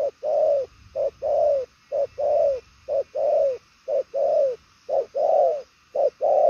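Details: Purple-legged 'đồng son chân tím' spotted dove cooing fast in 'bài lối' style ('gù'): a very regular string of paired notes, a clipped note then a longer downward coo, about one pair each second.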